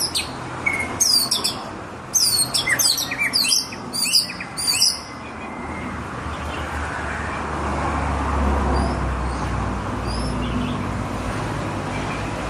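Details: White-rumped shama (murai batu) in full, lively song: about five seconds of rapid, varied high notes, clicks and slurred whistles, followed by a few faint notes over a rising low rumble and hiss.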